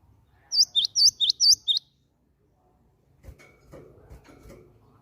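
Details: : a rapid burst of five sharp, high chirps, each a quick down-up flick, over about a second, then quiet with faint low background noise.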